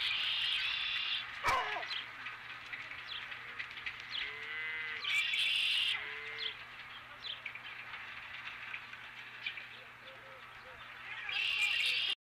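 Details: Osprey with a fish at its nest, evening of 12 April 2017: three bursts of shrill, high chirping spread across the recording, a sharp knock early on, and a few low mid-pitched sounds over a steady hum.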